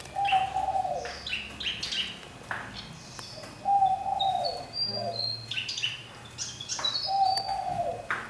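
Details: A fantail kept in a large cage for a year sings short, high, thin whistled notes and twitters in quick scattered phrases; a lower, drawn-out note from another bird repeats about every three seconds.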